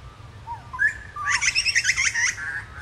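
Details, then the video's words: Chestnut-rumped heathwren, normally skulking but here confiding and still, gives a few short rising whistles, then a quick bright burst of about a dozen tumbling high notes lasting roughly a second; a kangaroo thuds and other woodland birds call behind. "Chestnut-rumped Heathwren"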